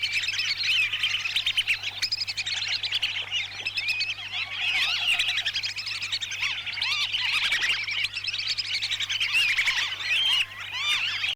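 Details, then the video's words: A trapping lure of whistling ducks from Lampung, Indonesia: many birds give continuous shrill whistled chirps and slurred notes, swelling in waves of loudness across eleven seconds. "Pikat burung blibis Lampung Indonesia"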